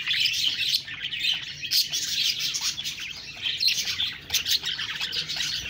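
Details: Continuous budgerigar chatter: a bright, scratchy wash of twittering with occasional louder squeaky notes cutting through, steady throughout with no pauses.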